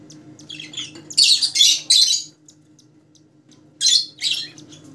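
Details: Colour-mutation Rosellas produce loud, raspy squawks: a few soft chirps, then three strong harsh bursts close together, a pause of quiet, and two more grating calls, with faint low hum.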